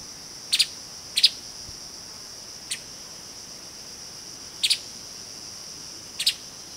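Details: Streaked spiderhunter giving short, piercing double chips, five bursts spaced unevenly, some single, set against a constant high-pitched insect hum.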